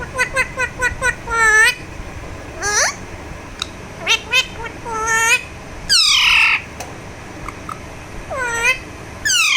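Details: Pet Alexandrine parakeet calling while being given a massage: a rapid series of short harmonic chirps, then a longer, drawn-out squawk, followed by harsh rising and falling screeches spaced a second or two apart.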